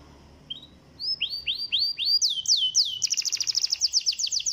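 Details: Canary song used to coax silent canaries: begins softly with a few rising whistles, then repeated swooping notes quicken into a loud, rapid trill of high chirps.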